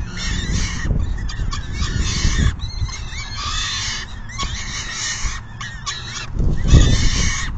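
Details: During a nest feeding by peregrine falcons in June 2022, rough, buzzy screeches come in uneven bursts, with heavy low thumping and rumble from wind or movement.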